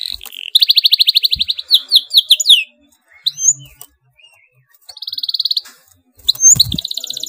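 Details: Canary singing an emotional, densely rolled song to prompt other canaries to join: a rapid pulsed trill slowing into swooping notes, a pause, soft chirps, a second buzzy trill and a closing burst of sharp notes.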